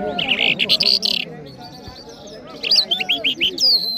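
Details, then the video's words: Mashhadi jal bird from Iran singing in Kabul, giving loud quick chirping phrases, then a pause, then a run of sharp rising notes ending in a thin whistle, with people talking quietly behind. "Jal Bird Singing |Iranian Jal Mashady Birds | جل مشهدي"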